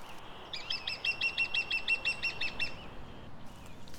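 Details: Middle spotted woodpecker on an old-oak woodland estate in hilly eastern Twente, Netherlands (landgoed Singraven), giving its nasal whining call instead of drumming: a series of about a dozen even, harsh notes, roughly three per second, over a soft rural hum.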